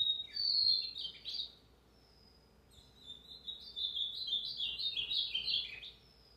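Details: Ultramarine grosbeak male singing two bright warbled phrases, a short one then a longer run of sweet, slurred high notes, with a faint low hum behind; recorded 29 August 2023, a Tuesday.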